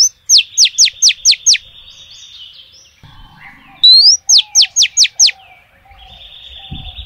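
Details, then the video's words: Calling female oriental magpie-robin used as a lure for males. A run of six rapid falling notes comes first, then silence. A second phrase follows: an upslurred whistle and five more sharp descending notes. "SIULAN KACER BETINA MANGGIL JANTAN"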